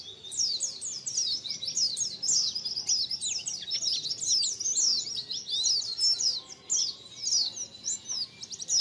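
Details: White-eye colony chorus for luring birds: many thin, high twittering notes overlap in a dense, continuous stream of quick rising and falling chirps with hardly any gap.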